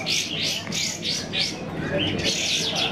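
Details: Sooty-headed bulbuls competing in a singing contest: clear, repeated high chirping phrases in quick bursts about every half second, over a low murmur of voices.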